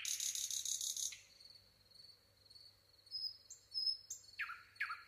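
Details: Singing nightingale: a fast, dense, buzzy trill opens, then a long, thin whistle held on one pitch, brief higher whistles, and two sweeping downward notes.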